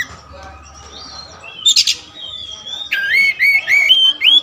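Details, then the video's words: Kacer wulung raja, an all-black Oriental magpie-robin kept as a songbird, sings a varied run of clear whistles, slurred rising notes and a harsh buzzy burst over a faint steady hum. "raja kacer materi segudang kacer wulung"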